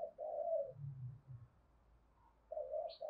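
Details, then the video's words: Spotted dove cooing to provoke and lure other doves into a fight: soft, low hooting phrases, one early and another near the end, separated by a quiet gap, with a deeper hum beneath. "Tiếng chim cu đất gáy gọi + thúc rút bổi rất nhanh về cội, cu gáy thúc đấu"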